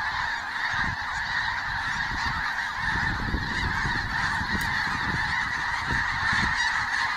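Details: Many geese flying overhead before sunrise in Canada: a dense, unbroken chorus of overlapping honks forming a steady wall of sound, with low rumbling noise underneath.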